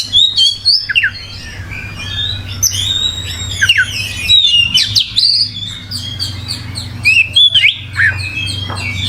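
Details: Gacor oriental magpie-robin delivering a long, varied song of clear looping whistles, sharp downslurs and scratchy chirps, sometimes pausing briefly, over a steady low mechanical hum.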